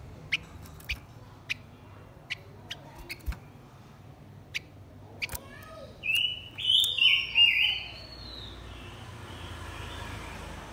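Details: Male and female blue-winged minla lure song for provoking wild birds: a series of evenly spaced sharp clicks, then a short burst of warbled whistled notes, fading into soft hiss.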